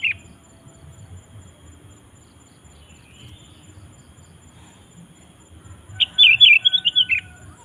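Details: Sooty-headed bulbul singing energetically, played to call wild bulbuls into song: about six seconds of near silence over a low rumble, then one short bubbly phrase of quick, warbled, high notes lasting just over a second.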